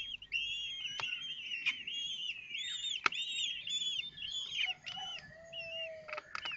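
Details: Young common kestrels at their Théding nest, 19 May 2024, as a fifth nestling hatches amid feeding: loud overlapping squeaky chatter of arched notes, with a few sharp clicks and a long low tonal note near the end.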